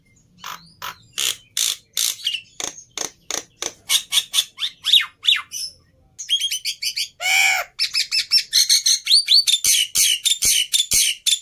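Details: Agitated fighter Black-winged myna, used to tutor silent starlings, gives a dense run of sharp, buzzy chips and rasping squawks at an uneven pace. One long, grating, lower-pitched screech comes near the middle.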